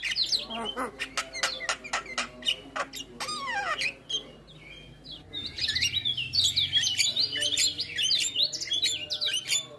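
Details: Javan myna (jalak kebo) in full isian style, the varied filled-in song said to make other mynas reply; rapid harsh chatter and sharp clicks, then a dense stretch of high warbled whistles and buzzy notes over a low hum.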